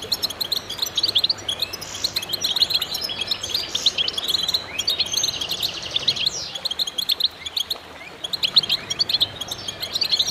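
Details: Goldfinches in full chorus meant to stimulate birds: a long stretch of thick, high tinkling twitter and chirps, with a brief lull near the eighth second before the chattering resumes.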